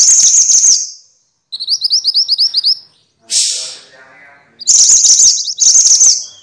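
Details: Minivet, called mantenan in Javanese and sepah in Indonesian, played to train songbirds: a shrill trilled burst, a quick series of about ten high rising notes, a harsh note, then more loud trills.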